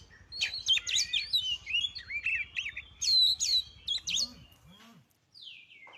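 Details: Kacer lure song meant to excite other birds into singing: a rapid, jumbled stream of whistled twitters and chattering notes over a low pulsing hum, ending in brief quiet and a faint slur.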